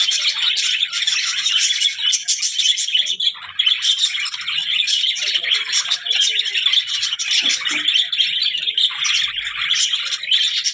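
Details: Budgies chattering nonstop, a busy mix of warbled chirps, squeaks and rasping notes that keeps up without a break, with brief louder peaks.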